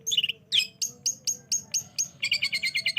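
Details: Long-tailed shrike lure sound for prompting lazy singers to respond: two slurred squeaky notes open, followed by a row of seven sharp high chips and a rapid harsh chattering run, with a low background hum.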